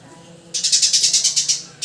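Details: Sparrow giving a quick run of about eleven sharp, high chirps in an even pulsing series after a short quiet start, then one more chirp at the end.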